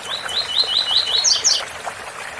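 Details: Brief tui tui bitola phrase from a coleiro: about eight fast, evenly spaced rising whistled chips, capped by two shrill higher double notes, with waterfall noise throughout.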